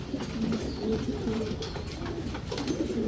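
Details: Racing Homer pigeons, domestic birds bred for racing, in a breeding loft: a dense run of low, bubbling coos with dipping and rising inflections, several birds overlapping, light clatter behind.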